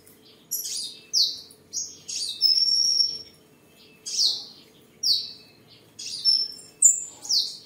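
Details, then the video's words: On 23 July 2022 in Tân Phú, Đồng Nai, Vietnam, a tame seven-coloured sunbird sings amid display and sparring: about a dozen shrill, downslurred chirps, some drawn into a long level whistle, delivered in quick irregular bursts. "Chim Hút Mật 7 Màu Thuần Ngày 23/7/2022 Hót, Múa, Đấu Đá"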